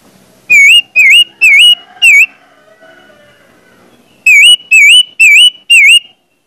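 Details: Orange-headed thrush lure song to prompt others to sing: two runs of four loud, identical wavy whistled notes, each dipping and rising, with a quiet gap between.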